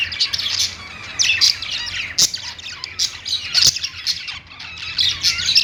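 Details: Perched pet budgies keep up a busy, twittering high-pitched song of scratchy squeaks and short trills, with a couple of sharp taps and a low hum.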